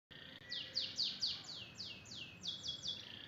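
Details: Canary in full tembakan song, giving a run of about ten bright, high descending swept notes at roughly four per second, each slurring downward, over a quiet background.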